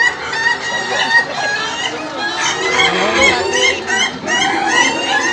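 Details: Several laughing chickens crow during a contest final, each crow a quick rattling run of chuckling harmonic syllables repeated in bursts, overlapping with one another over low crowd chatter.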